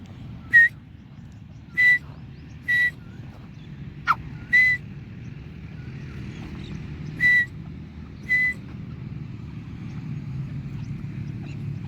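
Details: Early morning as the sun rises, a young Dakhni grey francolin gives seven short clear whistles at uneven intervals, one sharp click among them, then falls silent over a low steady rumble.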